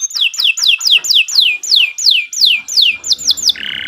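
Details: Canary singing in a long, continuous style used to train other birds: a rapid series of clear, downslurred whistles about three per second. It ends with quick high notes and a buzzy, sustained note.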